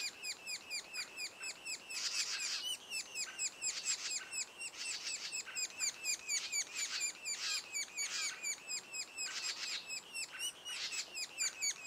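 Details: Sapsucker calling at the nest two days before first fledging. Rapid repeated high notes run about twice a second, with recurring louder, rougher bursts of overlapping chatter every second or two.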